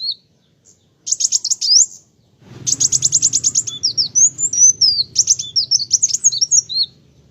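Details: Olive-backed sunbird, known locally as kolibri wulung or kowul, singing in a lively, sustained gacor manner: rapid high trills of sharp repeated notes followed by thin twisting whistles and quick chirps, with a low hum underneath.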